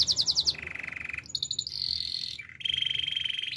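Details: Canary song meant for training: a quick pulsed trill, then steady held buzzy tours at different pitches, each lasting about a second, with a faint low background hum.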